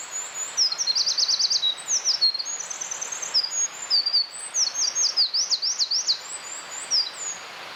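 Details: Long outpouring from a wild Eurasian wren: a rapid shrill trill early on, high piping notes, then a second fast rattling trill, all very high and loud over faint steady hiss.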